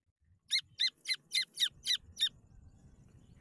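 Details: Grey francolin chicks calling; seven sharp high peeping notes repeated about three to four per second, then a faint low rumble of background noise.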